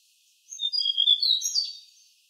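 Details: Tledekan song used to train cage birds: a dense, rapid burst of very high twittering and sliding whistles lasting about a second and a half, against a clean, quiet background.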